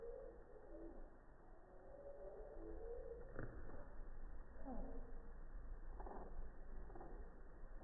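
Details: Hummingbird at a feeder on a quiet morning, filmed in slow motion with an iPhone 6+ from 3 feet away; the slowed song becomes low, warbling tones with a few sharp downward sweeps, over a steady low hum.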